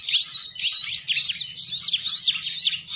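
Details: Bar-winged prinia lure call for attracting birds: continuous high, rapid twittering with repeated rising and falling slurred notes, steady and loud throughout.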